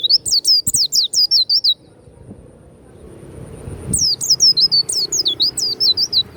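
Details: Loud, ringing song of a kept warbling white-eye: rapid runs of high, wavering, down-slurred whistles in two long bursts with a quiet gap between them.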